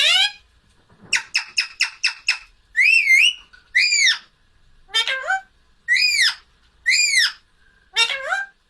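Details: Pet parrot trying to say "mummy" to call its owner: a quick run of clicky notes, then several drawn-out, wavering, voice-like syllables with rising and falling pitch, about one per second, in a quiet room.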